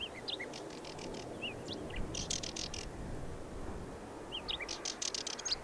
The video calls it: Pokląskwa śpiew